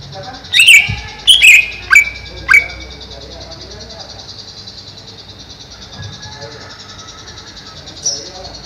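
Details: Captive greater green leafbird kept in a cage above a fish pond, giving four loud, ringing whistled notes in quick succession, followed by a long quieter stretch with faint murmuring and one late sharp note.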